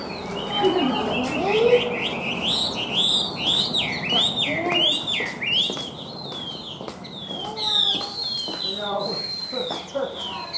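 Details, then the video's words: Chinese hwamei, a caged bird described as a good singer with varied, lilting song, sings loud, rich whistled phrases that swoop up and down in quick, varied runs, with a faint low murmur in the background. "Họa Mi Cao Cầu Bóng Bộ Đẹp Hót Tốt, Gật Gù Luyến Láy Chơi Rất Hay"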